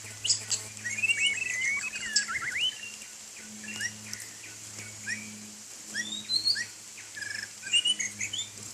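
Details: During a rain bath, a white-rumped shama sings scattered phrases of clear rising and falling whistles mixed with short chips, set against steady high hiss and a low droning hum.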